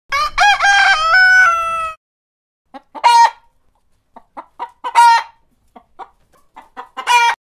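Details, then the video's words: A rooster crows in the morning, one long, harmonic-rich crow that rises then holds, followed by several shorter, harsh crows and clucking bursts from nearby fowl. "Cock crowing|Poultry | Rooster crowing| Rooster sound"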